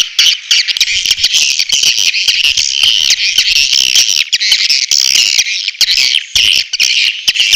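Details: Swiftlet lure call of natural origin, used to draw swiftlets in quickly: dense, continuous high-pitched buzzy twittering of many overlapping chirps, steady and unbroken throughout.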